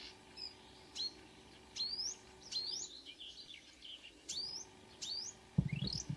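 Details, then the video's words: Marsh Warbler singing at 5 a.m. on 2 June 2009 at Kråkstad near Ski, Norway: high, sharply rising whistled slurs and chirps about once a second, possibly imitating other birds; a brief low thump near the end. "The song of a *Acrocephalus palustris* Myrsanger / Marsh Warbler"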